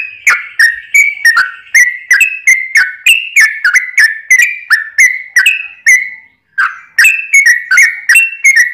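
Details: Yellow-vented bulbul singing a long 'ropel' song to stir other bulbuls into song: a nearly continuous series of gurgling whistled notes, about three per second, with one brief pause.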